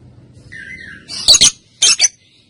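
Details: Female lovebird (balibu, Kusumo type) recorded as a training lure for other birds: a soft thin whistle gliding downward, then two harsh doubled squawks half a second apart, loud and high-pitched.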